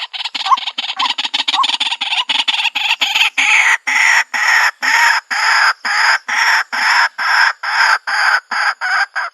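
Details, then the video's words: White-breasted waterhen call, used to lure birds into a trap in the countryside: rapid rattling burst of harsh notes speeding along, then slower rhythmic grating croaks about twice a second. "Bird Sounds White breasted Waterhen Bird ( Water Cock Soun)"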